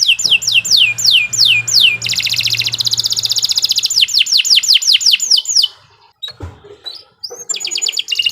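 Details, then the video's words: Energetic canary singing for training young birds: repeated falling whistled notes, a steady rapid trill for over a second, more sweeping whistles, then scattered clicks and a new high trill. "Kicau Burung Kenari 114 II GACOR PANJANG Cocok untuk Masteran"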